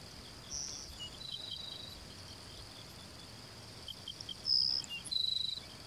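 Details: A Grassland Sparrow near Kangüery Station in the San Rafael reserve, Itapúa, Paraguay, in November 2016. It gives thin, high, insect-like notes, each phrase ending in a short dry buzz, over a steady high insect drone.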